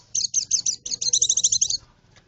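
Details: White-eye song meant to draw birds in the forest: a quick sequence of high, sharp chirps that speeds into a rapid trilling twitter before stopping.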